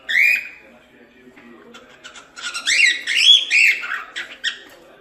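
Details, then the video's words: Cockatiel being taught to sing gives a long rising whistle, then a quiet stretch, then a tumbling phrase of loud, slurred whistled notes. "Canto de Calopsita 🐦 Ensinando Calopsita Cantar"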